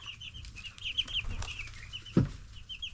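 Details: Chorus of 10-day-old baby broiler chicks: quick high cheeps, some downslurred, in a steady stream, with a low hum and a sharp thump near the end.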